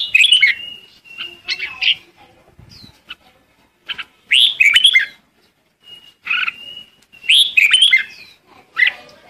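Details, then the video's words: Red-whiskered bulbul calling its flock: bright, bubbly phrases of fast warbled and whistled notes in bursts of about a second, with short pauses and a few thin single notes between. "Chim chào mào gọi đàn"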